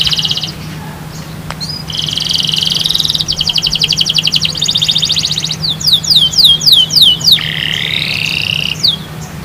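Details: Canary song meant to prompt other birds to sing: bright trilled phrases at high pitch, rapid buzzy rolls alternating with fast repeated downslurred notes, over a steady low hum.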